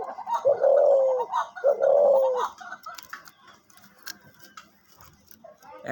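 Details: Decoy dove used for hunting, kept for sale, giving two long, low, steady coos in close succession, each ending in a slight downward slur, followed by a man talking and faint room noise.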